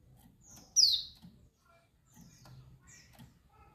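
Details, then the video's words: Female white-eye of the dakun Bali (dakbal) type calling, a call said to excite and anger males. A single sharp, very high note slides steeply downward; faint thin notes and low background rumble around it. "Suara Panggilan pleci Betina Dakbal Bikin Pleci Jantan Ngamuk"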